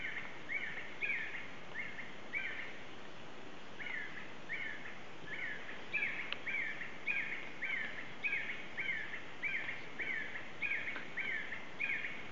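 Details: Black-necked red-cotinga recorded in the Yasuni: a long run of brief slurred whistles, some in quick pairs, repeating steadily about twice a second against constant forest hiss.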